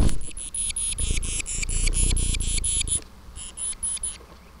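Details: Titmouse throwing a tantrum, caught on a live stream: a rapid run of harsh, raspy, buzzy notes, each led by a thin high tick, about a dozen in three seconds, a short pause, then four more, over low rumbling background noise.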